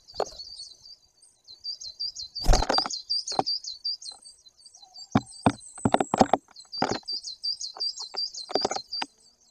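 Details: Great tit in Poland's Bory Tucholskie forest, 2 September 2022, appearing to speak to viewers: repeated bursts of rapid high chattering notes interrupted by loud knocks and thumps.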